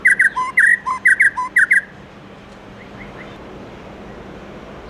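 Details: Morning forest-voice song of a white-rumped shama: a quick burst of bright, paired whistled notes with rapid ringing overtones for nearly two seconds, then near quiet with a few faint distant notes.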